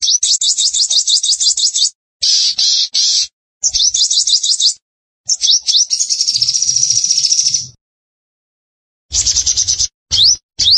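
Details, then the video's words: Lively sunbird song: strings of very high, sharply rising squeaky notes repeated rapidly in bursts, a longer buzzy sustained trill, and short upward-sweeping chips after a pause, all high-pitched and choppy. "Sogon Gacor!!"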